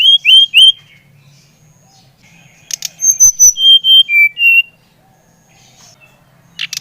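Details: Brown-chested jungle flycatcher (Bali type) singing to stimulate a young bird: three falling whistles, a pause, then a run of six clear whistled notes stepping slightly downward, with low background hum.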